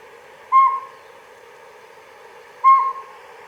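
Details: Northern Saw-whet Owl, as the owner judges (closer match than northern pygmy owl), calling at night from trees near a pond among frogs: two clear, mid-pitched whistled toots about two seconds apart over a steady low hiss.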